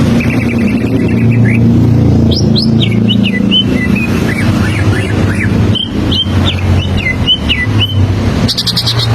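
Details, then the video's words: Greater green leafbird standard song played so young birds learn it: a lively run of varied whistled upslurs and downslurs, ending with a short high rattling burst, over steady low background rumble. "Suara Standar Burung Cucak Ijo Paa Jadi Pancingan Cucak Ijo Belajar Bunyi"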